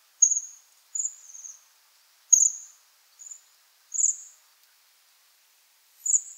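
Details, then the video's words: A Bohemian waxwing (Bombycilla garrulus) gives thin, very high, buzzy trilled 'sirrr' notes, about six in as many seconds, at an uneven pace, with nothing else audible. "Vogelstimmen: Der Seidenschwanz - Waxwing - Brombycilla garrulus"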